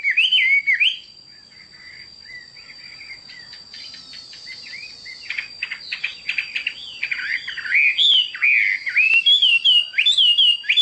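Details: Hwamei song: loud, rich whistled phrases with rapid pitch swoops, a quieter stretch of clicking, scratchy notes in the middle, then strong rolling whistles returning, a thin constant high tone behind.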